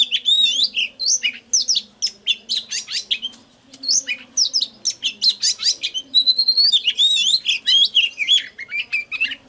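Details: Lure recording of an oriental magpie-robin, meant to set birds singing: fast, varied bright whistles and sharp chips in dense bursts, a short pause, then a long high whistle and more rapid rising and falling notes, over a low hum.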